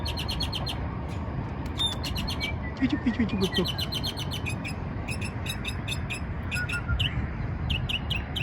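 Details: Mockingbird chirping happily at the Margaret Huntill Bridge: bursts of sharp, high, rapidly repeated chirps in quick runs, plus a few brief whistled notes, over a steady low rumble of outdoor background noise.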